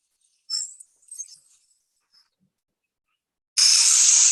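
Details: Young Burrowing Owl in its nest burrow in prairie Canada giving the juvenile alarm call, a harsh, steady, rattlesnake-like hissing buzz meant to warn intruders away, preceded by a few faint, scratchy high notes.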